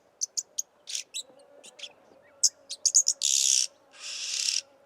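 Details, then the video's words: Somali jirri, the oxpecker: rapid series of sharp high chips and ticks building into two long rasping hisses near the end, against a faint continuous hum. "Jirri | oxpecker"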